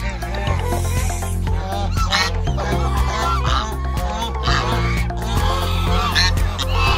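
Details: Ducks with their newly hatched ducklings at a breeding farm in Muzaffargarh give loud, nasal honking calls in quick, overlapping bursts, while a steady, deep musical drone plays underneath throughout.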